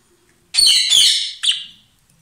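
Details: A pair of lovebirds, which sing loudly and kiss or share food, gives two harsh, buzzy chirps, the first long and rasping, the second short and shrill, in a quiet room.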